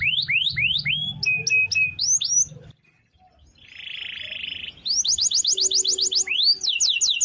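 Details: Canary song with long rolls used to train other birds: rising swept notes and short flat trills, a near-silent gap, a soft buzzy phrase, then a rapid high rolling trill.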